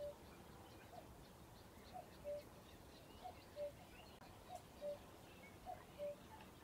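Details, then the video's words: Common cuckoo calling at RSPB Ham Wall Nature Reserve, Somerset, UK, on a day rich with birdsong: soft two-note cu-coo, higher first note then lower, repeated about every 1.2 seconds, four pairs against quiet rural background. "Cuckoo Call"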